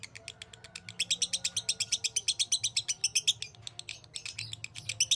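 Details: Lovebird in a 'masteran' training recording, praised as a champion and long-drawn 'narik panjang' singer, giving dense, steady, high ticking chatter that runs throughout, sharp notes repeated several times each second over a faint low hum.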